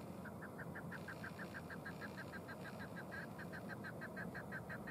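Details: Chukar calling on March 13, 2019 in Ashcroft, British Columbia, Canada: rapid, regular chuck notes repeated roughly three per second throughout, against a steady low hum of background noise.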